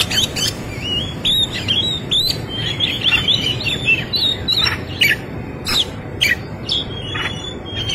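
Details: Oriental magpie-robin in full fighting song with rich mimicked fill: a fast run of sweet whistled, slurred and upturned phrases, interrupted by sharp loud chip notes around the fourth to seventh seconds, over steady low background hum.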